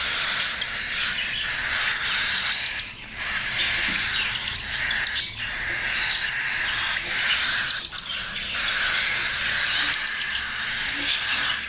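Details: Hand-fed cockatiel (Nymphicus hollandicus) chicks give a continuous, raspy, wheezing chatter of begging calls while being fed.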